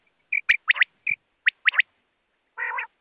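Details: Quail at night: a piping note, then sharp bright double and triple clicks repeated about once a second, ending in a rasping buzzy burst after a short pause.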